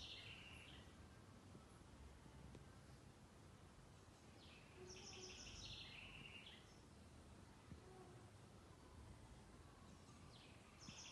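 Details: Green-winged saltator singing at 11:30 in the morning on Sunday, 28 March 2021: short phrases of bright, rich whistles, spaced a few seconds apart, over a steady wash of background hiss.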